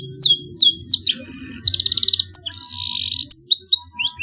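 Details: Young canary learning to sing with lengthening rolls: three falling whistled notes, a buzzy rapid trill, a warbled rolling phrase and short rising chirps.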